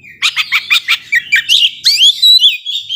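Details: Oriental magpie-robin singing gacor ngobra to provoke sluggish rivals: five quick buzzy chips, then rising and falling whistled slurs ending in a sustained warble.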